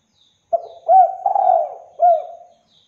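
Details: Spotted dove song played as a lure to make other doves answer: one phrase of four mellow coos, a short first note, then two rising-falling coos joined together and a final falling coo, with a quiet background.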